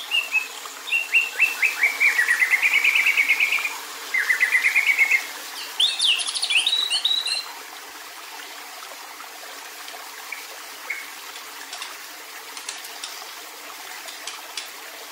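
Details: White-rumped shama giving an agitated kretekan call meant to provoke other males: rapid rattling bursts of short, evenly repeated notes for about seven seconds, then a few scattered faint notes over a steady hiss.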